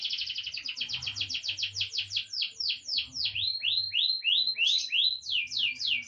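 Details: A grey, young songbird eight months old sings a fast run of high whistled notes. The notes sweep downward, start close together, slow to a looser rhythm, then quicken again. A faint low hum sits underneath.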